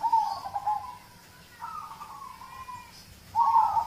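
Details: Zebra dove of a local type, used as lure audio to get other birds singing: a bubbly trilled phrase, a softer sliding coo, then another loud rippling trill starting after a short pause.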